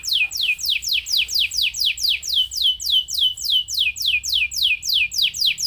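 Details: Canary singing to stimulate other canaries into song. A steady, rapid series of bright, downward-sweeping whistled notes repeats about three to four times per second without pause.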